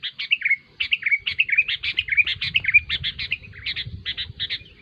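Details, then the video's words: Kutilang bulbul giving lively chattering phrases mixed with short liquid whistles that slur downward, delivered in quick bursts over a soft low background hum. "SUARA BURUNG KUTILANG RIBUT"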